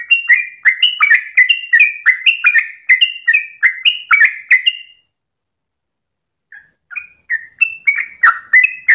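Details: Long 'ropel' song of a sooty-headed bulbul at dawn: rapid whistled notes with sharp drops for five seconds, a pause of over a second, then the quick phrases resume.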